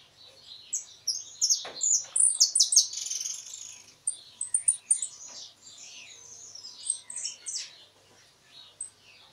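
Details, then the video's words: European goldfinch song with a closing flourish, a bird kept for the field: rapid high twittering and tinkling notes in dense bursts, loudest in the first three seconds, then scattered chirps and short trills. "Unos de los jilguero para el.campo con cierre"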